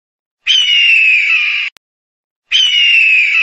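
An eagle gives two long, harsh, hoarse screams, each over a second long and slightly falling in pitch, separated by a brief pause.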